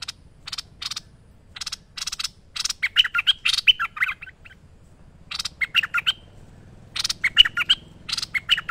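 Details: Lively merbah lekir bulbul used as a training master: scratchy rasps lead into runs of clear, bouncing whistled notes, in several phrases with a quiet pause midway and soft background hum.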